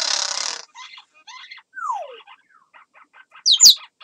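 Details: African grey parrot kept indoors making its crow imitation: a harsh rasping burst opens, followed by short chattering notes, a smooth falling whistle, rapid clicking ticks and a loud shrill squeal near the close.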